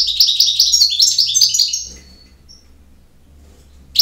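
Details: Campero-style song of a European goldfinch: a rapid run of liquid chirps and buzzy trills lasting under two seconds, followed by quiet, then a new phrase just starting.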